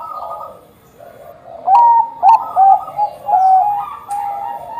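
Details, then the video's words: A prolific Bangkok-type zebra dove sings to draw others into song. After a quiet start, loud, clipped whistled coos come in a quick cluster, trailing into a level, softer coo. "perkutut bangkok gacor - buat pancingan perkutut bangkok agar cepat bunyi"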